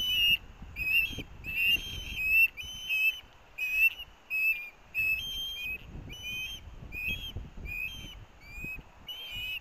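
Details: On 18 August 2024 at a Missoula, Montana university nest, osprey chicks compete for fish brought by their parents. A fast, insistent run of piercing whistled calls plays, some bent or wavering, about one and a half per second, over faint low rumble.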